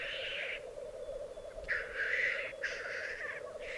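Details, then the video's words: Lekking black grouse on an Alpine singing arena in Piedmont, 2022: continuous low bubbling rookooing underlies repeated loud hoarse hissing bursts, three or four of them spaced about a second apart. "Parate dei Galli Forcello"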